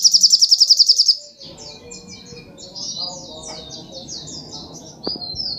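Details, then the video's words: Sogok ontong singing in full voice: a rapid bright trill of about a dozen sharp high notes, then a long run of varied high chattering and whistled phrases over a faint murmur of background noise. "Kicauan Burung Sogok Ontong Super Gacor"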